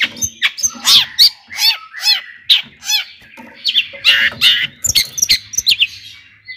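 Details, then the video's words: Lure song of a long-tailed shrike that stirs rivals to sing: varied phrases of harsh chatter and arched, slurred notes, some lower and mellow, delivered in uneven bursts. "kicauan Cendet Gacor AMPUH ISIAN MEWAH JUARA COCOK buat pancingan CENDET agar NAIK EMOSI JADI GACOR"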